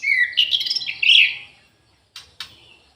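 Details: Orange-headed thrush kept in an aviary delivering a fast, rich warbled phrase with sliding whistles, followed after a short silence by two sharp clicks.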